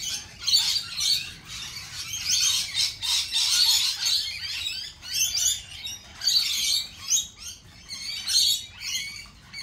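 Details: Lorikeets shrieking in an unbroken, high, scratchy chorus, the louder bursts rising and falling every second or two.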